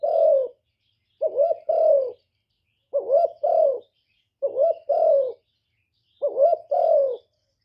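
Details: Spotted dove used as a decoy to lure wild doves, cooing in low, mellow, hollow phrases of two or three notes with a dip between them. Five phrases repeat roughly every one and a half seconds against a silent background.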